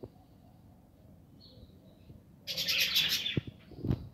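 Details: Budgerigars nesting in an aviary in 2020: quiet at first, then a sudden loud burst of fast, buzzy chattering warble, followed by a couple of soft knocks.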